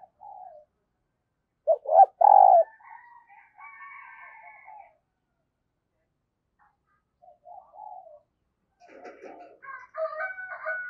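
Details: Decoy spotted dove calling with 'thúc' and 'gáy' cooing to attract new wild doves: a brief soft coo, then two strong hollow coos, quiet higher notes, a faint low coo, and thin higher chirps at the end.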